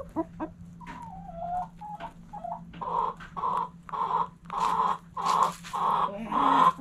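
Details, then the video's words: Backyard hens and roosters at morning sunrise: a few short whistled notes, then a run of loud, harsh, squawking calls repeated about every half second, growing louder toward the end over a steady low hum. "Backyard Chickens Morning Sunrise Long Video Sounds Noises Hens Clucking Roosters Crowing!"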